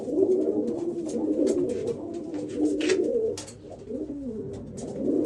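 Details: Old German Owl domestic pigeons coo in low, throaty, overlapping rolls that swell and fade, with a few soft clicks and rustles in a small indoor space.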